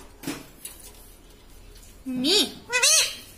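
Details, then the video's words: Near-silence gives way to two short, bright, warbling speech-like syllables from a talking pet parrot, rising then falling in pitch, near the end. "insaan ki tarah bolta tota - talking parrot"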